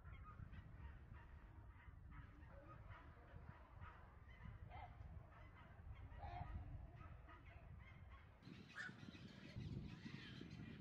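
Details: Aggressive black-crowned night heron chicks in Israel, 17 June 2018, give harsh, croaking squawks that overlap continuously, over a heavy low rumble of wind or handling noise that swells near the end.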